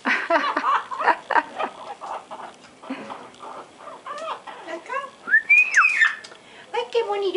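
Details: A pet parrot sings at home in a speech-like voice, with wavering syllables and a few bright, rising-then-falling whistled notes, while people laugh and clap in the background.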